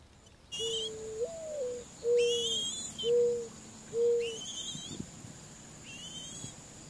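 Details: Mourning dove near young being fed: a low, hollow cooing phrase, one soft note, then a higher swelling note, then three steady mournful coos about a second apart. Thin, high chirps from other birds are heard in the background.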